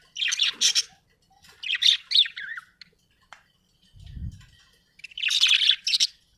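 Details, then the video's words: Happy budgie giving short clusters of scratchy, high chirps and chattering notes, including a brief falling whistle. Pauses fall between groups, and a soft low thump is heard midway. "happy budgie chirping sound"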